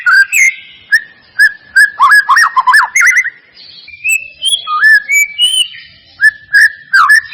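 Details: Varied white-rumped shama song used as a lure to provoke singing: short rich whistled notes, a burst of quick looping phrases, then spaced rising and level whistles repeated about twice a second.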